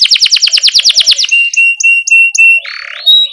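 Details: Canary chirping and rolling, played to teach young canaries to sing: a quick run of bright repeated notes, then several short level whistles and a brief harsh buzz.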